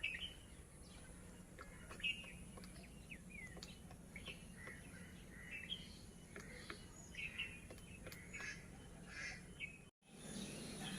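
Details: A grey woodpecker in breeding season knocks a nest hole into a large shirish tree branch, with its mate nearby, at a village in Lohajong, Munshiganj. Sharp, irregular single taps about a second apart, over constant high chirping from small birds and a low hum.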